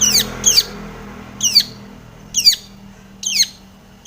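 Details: Long-tailed shrike singing loudly as a lure to make other shrikes call: harsh, scratchy notes that sweep sharply downward, delivered in spaced bursts about once a second with short pauses between.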